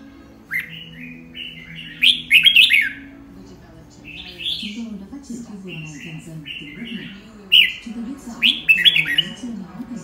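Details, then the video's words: Morning song of a red-whiskered bulbul in "căng lửa" condition: bright whistled notes and quick warbled phrases in clusters separated by short pauses, with a faint low murmur underneath. "Chào mào căng lửa buổi sáng"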